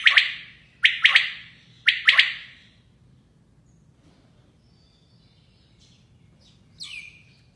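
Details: A female common quail (Coturnix coturnix) gives three harsh, raspy bursts of doubled notes about a second apart, then falls quiet; one faint thin downslurred note follows.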